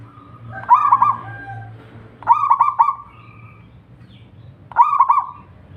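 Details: Local zebra dove (perkutut) in full song, used to draw other zebra doves into singing. Three mellow coos, each opening with rapid choppy notes and fading into a drawn-out tone. A low steady hum runs underneath.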